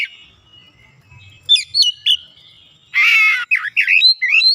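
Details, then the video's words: White-rumped shama, a sluggish bird being brought back into full song, gives short high whistled notes, then a harsh buzzy burst followed by looping rising and falling whistles; faint low rumble underneath. "PEMULIHAN KACER YANG MALAS BUNYI JADI GACOR"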